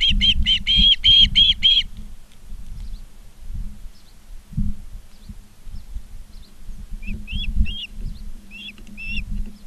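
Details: Osprey at a Charlo, Montana nest on 19 August 2023, afternoon: a quick series of sharp whistled chirps opens, then a few fainter scattered chirps follow above a constant low hum.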